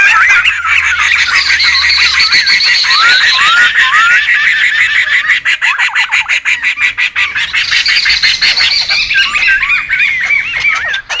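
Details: Wild laughingthrushes calling noisily, a recording meant for luring and tutoring birds: a busy chorus of looping whistles over harsh rapid chatter, steady throughout, with a few sliding upward notes standing out.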